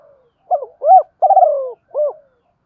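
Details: Captive decoy spotted dove calling to lure wild birds, voiced in the 'giọng thổ' style. One clean four-part phrase: a short coo, a rounded rising-falling coo, a long wavering downward slide and a final short coo.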